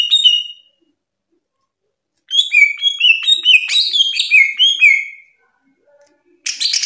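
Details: Greater green leafbird, a nationally top-ranked bird, in master song: a few clear slurred whistles, a pause, then a rapid varied chattering run of whistled notes for about three seconds, ending in a short buzzy burst.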